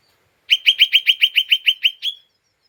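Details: Lesser green leafbird, an agitated, unstable-tempered bird giving its chattering ngeriwik call, used as a lure to provoke other birds: ten sharp, bright chirps repeated rapidly and evenly, the last slightly longer, then silence.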